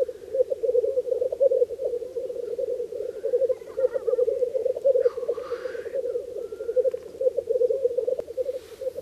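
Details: Black grouse males displaying at an early-spring lek in a bog in Slitere National Park keep up a steady, dove-like bubbling, with a sharp hissing sneeze cutting in midway and a few brief calls from other birds.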